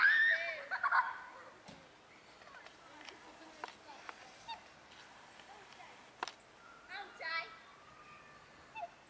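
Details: A pair of black swans at Fagaras fortress: a loud, harmonic, bugling call opens, followed by a few faint clicks and soft calls, then a shorter wavering bugle near the end, over quiet background hiss.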